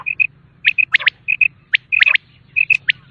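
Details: Common quail calling, used to hunt quail: brief level whistled pips alternating with sharp rising clicks in quick pairs and triplets, over a faint low hum.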